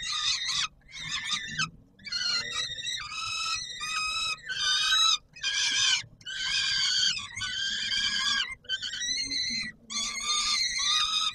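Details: Peregrine falcon at feeding time, Palace of Culture and Science, Warsaw, Poland, 17 July 2022: a long series of grating, rasping cries of varying length, almost continuous with short breaks.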